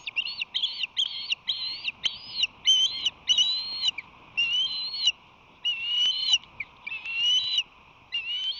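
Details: At a nest on San Francisco Bay in late March 2020, an osprey pair as the male brings fish: loud, drawn-out whistled cries, each a slurred high note with a wavering tone, repeated in a steady series with brief gaps, a constant hum beneath.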